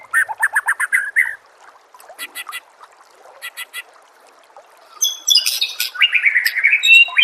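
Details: White-rumped shama song used as a master recording to get other shamas singing: a rapid run of short rising notes near the start, quieter pause, then loud shrill high whistles and harsh scratchy bursts toward the end.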